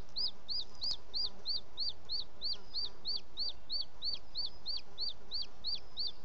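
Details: Late on the evening of 18 June 2017, at a booted eagle nest in Els Ports Natural Park, a male arrives carrying a bird as prey; a long, regular series of thin, falling whistled notes, roughly three per second, fills the recording.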